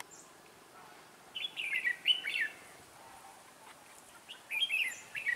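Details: A red-whiskered bulbul decoy in training, set at a trap to lure wild birds, December 2016: two bright, bubbling warbled phrases separated by a quiet gap, in a calm outdoor setting.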